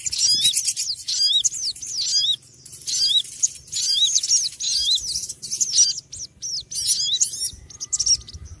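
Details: Noisy small birds chatter continuously with high, looping chirps and sharp twitters, several overlapping, over a low steady hum.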